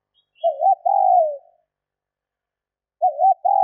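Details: Female spotted dove calling to stir males: a full phrase of wobbling lead notes and a long, slightly descending coo, followed after about a second and a half by the next phrase beginning. A faint high chirp sounds at the start.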